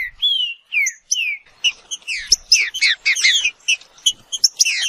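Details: Green-winged saltator: a few clean, downslurred whistles open the phrase, then a quick burst of jumbled chirps and twittering notes. The background is quiet.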